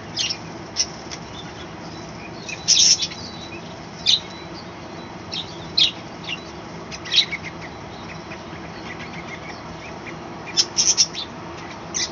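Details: Budgerigars kept in a small balcony colony, calling in the morning: scattered sharp high chirps and short chattering bursts every second or two over a steady low background hiss.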